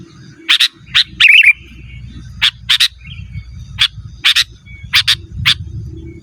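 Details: Sooty-headed bulbul, lure and training recording for wild and caged birds: spaced sharp chirps, some doubled, a short twittering burst near the start, and a faint low hum throughout.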